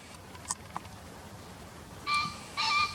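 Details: Green pheasant call from a bird field-guide recording: after a few faint clicks, two abrupt, harsh, ringing notes close together near the end.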